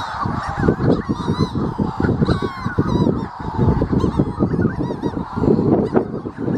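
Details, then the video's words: Manx shearwaters near the North Haven on Skomer give harsh, rhythmic crowing cackles in a steady throbbing beat, several birds overlapping, with thin higher calls faintly behind. "The Sound of Manx Shearwaters"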